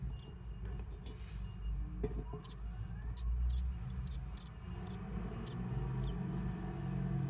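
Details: Great tit nesting in an old stove; a quick series of thin, very high chirps, each brief, repeated roughly every half second over a steady low hum.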